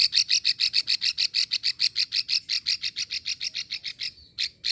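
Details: Long klik call of a female plain prinia from Ulujami, Central Java, a sound used to lure males: an unbroken string of about fifteen sharp, ticking notes, evenly spaced, then a short gap and one final note.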